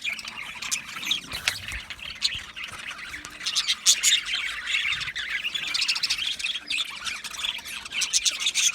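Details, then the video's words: Budgie parrots chirp and tweet busily, sharp high notes and quick trills overlapping in a lively, unbroken chatter. "Budgie parrot chirping sounds"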